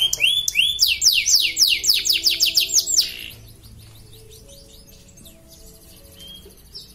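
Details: Contest canary from Pontianak, West Kalimantan, singing in its cage: three seconds of quick, bright, arching whistled notes in a rapid series, followed by near silence with faint low background hum.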